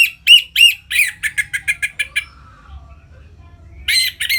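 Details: Orange-headed thrush in loud ngeplong-style song used to stimulate captive birds into breeding condition: quick run of bright, slurred notes with buzzy overtones, then a pause before a fresh burst starts. Low background hum.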